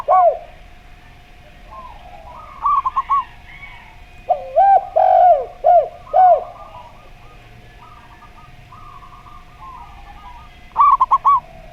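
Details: Zebra dove in slow-style song alongside a gayer-style spotted dove: bursts of rapid, clipped higher coo notes recurring several times, broken by a loud series of deeper arched coos midway, with quiet gaps and a steady background hum.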